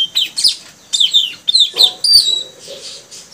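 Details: Newly caught male puling birds, three together, in training to sing full and vigorously; high, quick chirps and short slurred whistles follow one another without pause, with a faint lower rustling underneath midway through.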